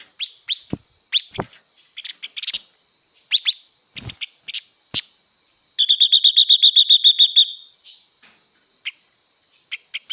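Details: Female blue-winged leafbird singing to rouse males: a busy string of varied sharp chirps and slurred notes, then a long, even, rapid trill of about fourteen buzzy notes, followed by more scattered chirps.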